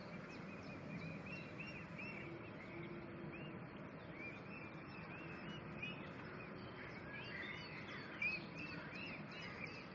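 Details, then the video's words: Female Fischer's lovebirds, blue and pastel blue, kept apart from their male partners for four days; busy overlapping chirps, short curved notes repeated quickly over a steady background hum. "bird Chirping Sounds - Blue Fischer & Pastel Blue Fischer"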